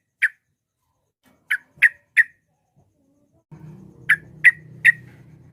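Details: Yellow-vented bulbul sounding harsh, buzzy chirps to goad rivals: one isolated note, then a trio, then another trio over a low droning hum.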